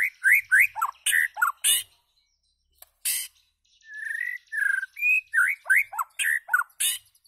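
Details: White-rumped shama calling and singing: quick runs of clear whistled notes that slide up and down, mixed with harsh, scratchy bursts, a short pause near the two-second mark, then more varied whistles and rasping notes.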